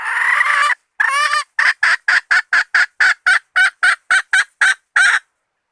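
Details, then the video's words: Hen call used as bait: a long harsh drawn-out note, then a quick run of about a dozen short, hoarse, evenly spaced clucks in clean quiet. "Suab poj qaib seev zoo 100% 2020 / latest hen standard bait 100%"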